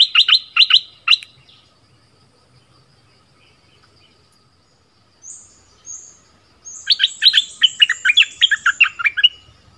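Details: Southern-type decoy bulbul opens with a few clear, bouncing chirps, pauses with faint high squeaks, then breaks into a busy burst of warbled notes.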